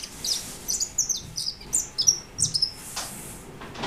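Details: A white European goldfinch recorded in 2013 gives crisp high chirps and thin slurred whistles in quick succession, ending with a brief rush of hissing noise.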